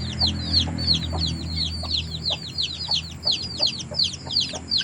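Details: Chicken calls as quick, thin, falling peeps in rapid overlapping series, roughly three per second, rising and falling in loudness, with a low background hum underneath.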